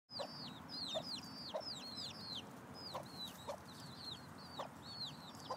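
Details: Mother hen with six chicks scratching for food in late July: chicks give many high, downslurred peeps in quick succession while the hen adds short, low clucks roughly every second.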